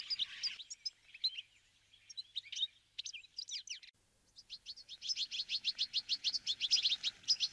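Fieldfare giving squeaky, scratchy chattering notes, then a fast run of high repeated chirps, about five a second, with no other sounds.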